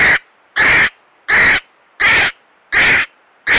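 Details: Captive North Island brown kiwi at Te Puia in June 2022, kept under a national captive management and breeding programme, giving harsh, hoarse, rasping cries in an even series of six loud notes about every 0.7 seconds.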